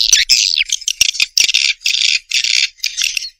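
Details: Swiftlets give short, buzzy high chirp bursts, each about a quarter second long, repeated at a steady pace with crisp clicks between.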